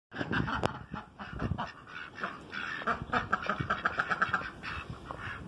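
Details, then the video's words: Noisy ducks calling together, a dense chorus of harsh, nasal quacks overlapping throughout, some loud and abrupt, others lower and muffled beneath. "Noisy ducks"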